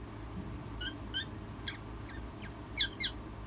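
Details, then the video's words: A hen making baby-like noises and crying: thin, high, descending peeps with raspy edges, scattered singly and in close pairs, over steady low indoor hum. "hen making baby noises and crying"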